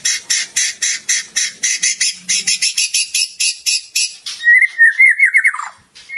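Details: Rich borrowed-phrase song of a white-rumped shama: a steady rapid string of harsh, broad chattering notes, then a bright, falling whistled trill.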